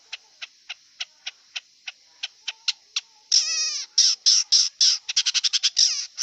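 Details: Wild long-tailed shrike giving a steady series of sharp ticking notes about four per second, then loud harsh nasal squawks and a fast run of scratchy chatter.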